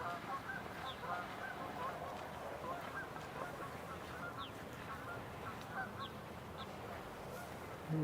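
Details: Geese honking in a dense, steady, nasal chorus as they take off from a marsh on a breeding-season morning, many birds calling over each other, with a low rumble and a human voice beneath.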